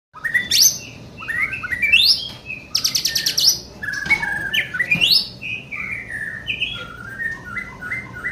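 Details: White-rumped shama, young bird, singing a varied song of clear whistles mixed with rapid rising sweeps and dense chattering bursts, notes shifting constantly in pitch.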